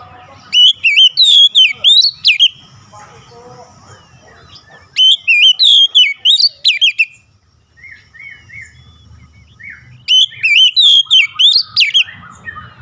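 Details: Kacer song used to restore a stressed Oriental magpie-robin: three fast bursts of bright, swooping whistles, each about two seconds long, separated by pauses with faint low background rumble.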